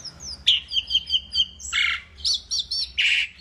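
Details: Asian pied starling in vigorous song: a series of short whistled notes repeated evenly, then harsh buzzy rasps and paired looping chirps, with a soft background hum.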